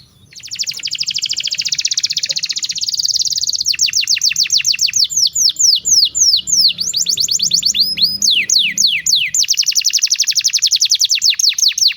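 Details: Canary singing as a model for young birds: a long, dense buzzing trill, then rhythmic series of swooping descending notes, ending in another rapid trill.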